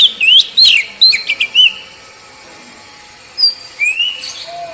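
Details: Oriental magpie-robin song used as a tutor recording to prompt untrained captive birds to sing. Clear, loud whistled phrases with sweeping and rising notes come in quick bursts, then a pause, then more sliding whistles.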